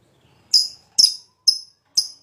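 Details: Lovebird fighter, high breeding condition, lure song: four shrill, buzzy chirps in quick succession about half a second apart, each with a falling tail.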